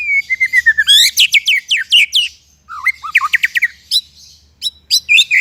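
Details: White-rumped shama singing, used as a training recording: a string of short falling whistles, a burst of sharp high chirps, low slurred notes, then more bright clipped whistles.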